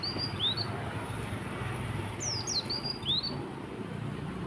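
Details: Morning song of an Oriental white-eye, tembakan konin style: sharp, very high twittering notes, falling and rising slurs grouped in short bursts, with constant low background hum.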